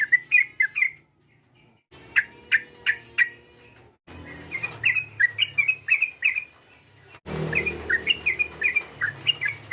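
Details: Sooty-headed bulbul lure call meant to provoke a rival: bursts of short chirpy notes, each rising then dropping, in rapid runs of four to eight, separated by abrupt cuts with low background hum.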